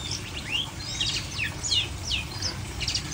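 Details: Long-tailed shrike kept without a cage cover, giving scattered high chirps and short rising and falling whistled notes in a quick irregular series over a low steady hum.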